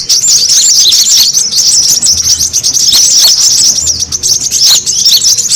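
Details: Brown-throated sunbird lure sound intended to attract birds: a constant, crowded stream of sharp, high twittering notes and looping squeals without pause.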